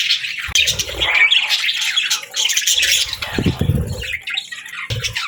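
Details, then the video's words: Budgerigar morning warbling, a thick tangle of chirps and raspy squawks after a sharp start, with low fluttering or bumping noises in the middle. "Birds Chirping Sounds 🌅🐦 Budgie Morning Melodies for a Happy Start!"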